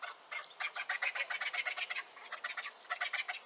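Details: Griffon vulture calling with rapid, harsh, chattering and hissing notes in a continuous grating stream, rather quiet and slightly distant.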